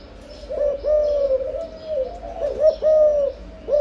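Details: Spotted dove in breeding condition giving its cooing: soft, low, hollow coos in a phrase of several drawn-out notes, each swelling and sliding slightly, repeated twice with a short gap.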